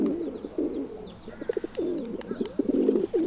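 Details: Feral pigeon (Columba livia) cooing continuously in low, warbling, gurgling phrases that rise and fall, with faint thin high chirps of other birds behind.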